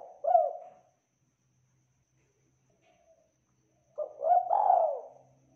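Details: Spotted dove singing with a clear, full voice: one falling coo opens, then after a long pause a phrase of rolling coos and a drawn-out note, with a faint low hum beneath.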